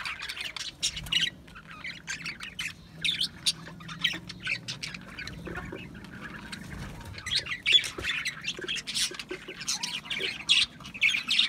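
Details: Budgerigars give scattered sharp chirps and squawks, sparse at first over a low steady hum, then building into dense, rapid chattering during the second half.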